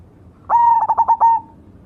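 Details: One song phrase from a cemani zebra dove singing vigorously: a clear sustained coo that breaks into five quick beating pulses, then trails off smoothly, lasting about one second against a quiet background.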